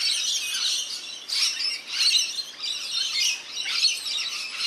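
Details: Several rainbow lorikeets at a backyard birdbath in NSW, Australia, calling while they bathe: grating, high-pitched screeches layered into a busy chatter that peaks roughly once a second.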